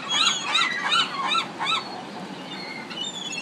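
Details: Pacific city gulls call in a short burst of five or six arched, nasal yelping notes that quickly fade, leaving faint distant calls.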